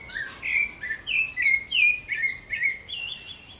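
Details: Rufous-bellied thrush singing free in a backyard: a steady run of short, clear fluty phrases, each slurring down slightly, about two per second, over faint background hiss.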